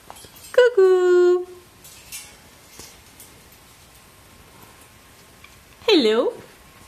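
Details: A pet sulphur-crested cockatoo indoors gives a loud, drawn-out nasal call lasting nearly a second, then after a quiet pause a short swooping call that dips and rises.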